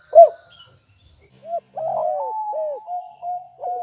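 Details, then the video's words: Caged spotted dove in the kuk 1 song style: an arched coo, then overlapping low coos with a steady sustained tone, as if several doves sing together. "Special Suara Tekukur Kuk 1 Gacor Disangkar"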